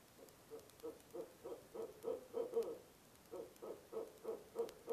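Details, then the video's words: Monkey call of a barred owl at a nest box at night in November: steady rapid hoots, roughly three per second, growing louder toward a crowded peak, a short pause, then another even run. "Barred Owl - Nov 4, 2am Monkey Call"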